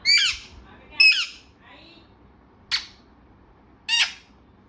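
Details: Talking parrot kept as a pet, calling in four loud, harsh squawks spaced about a second apart, each sliding downward, with a faint wavering note between the second and third.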